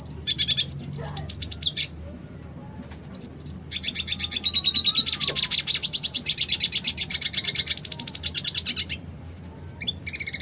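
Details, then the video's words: A dilute red siskin sings a fast, high twittering rolling song of buzzy rolls and rattling trills in long unbroken phrases with brief pauses between them. "Siskin dilute gacor tipe roll tembak"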